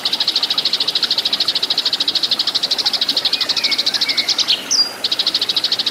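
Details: Tree sparrow fighting song for cage-bird training: a continuous rapid stream of high chirps, about three per second, with a few thin sliding whistles and a sharp upward note before the chatter resumes.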